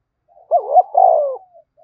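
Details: A spotted dove in full 'thúc bổi' cooing: a short wavering double note, then one long, strong, slightly falling coo, clear and unaccompanied.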